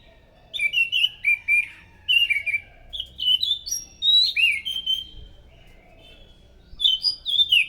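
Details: Anis macan thrush singing loudly as a lure for other thrushes: a near-continuous run of clear whistled notes, each slurring up or down, in quick varied phrases with a short pause near the end.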